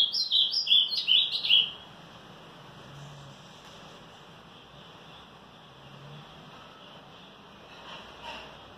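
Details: Ultramarine grosbeak, morning of 18 March, giving a quick 'batida forte' phrase of rapid, tightly packed whistles lasting under two seconds, followed by several seconds of low background hiss and a faint distant rustle.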